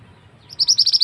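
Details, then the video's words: Male scarlet-headed flowerpecker, a loud lure call used for trapping birds in the forest: after half a second of quiet, a quick run of about seven sharp, very high chipping notes. "Suara pikat burung mandi darah / mantenan jantan"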